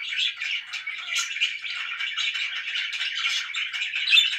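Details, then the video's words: Very loud budgie chirping: dense, gravelly warbling with quick twittered notes running without a break, slightly louder toward the end. "VERY LOUD BIRDS"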